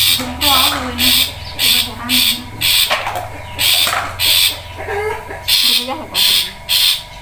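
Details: Long-tailed shrike song: harsh, buzzy high bursts repeated roughly every half second in a steady rhythm, with a few softer lower warbled notes between phrases.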